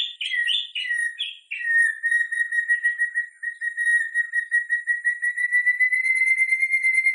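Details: White-rumped shama singing, played to get other shamas singing ahead of a contest: a few quick, high whistled phrases lead into a long, steady, warbling whistle held on one pitch and pulsing rapidly, rising slightly at the end.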